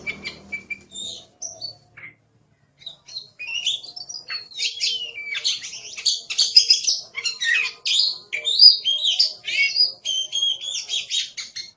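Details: Oriental magpie-robin used as a training recording for songbirds: after a quiet start, a long continuous stream of high chattering, trilled and whistled notes, dense and rapid, with a faint low hum.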